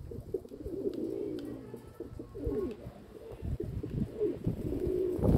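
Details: Domestic pigeons cooing in a low, throaty burble, short rolling phrases run together over a deep rumbling background.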